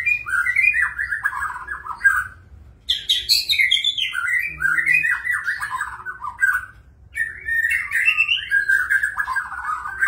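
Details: Rich, rambling magpie-robin song of warbled whistled phrases, delivered in three long bursts separated by brief silences.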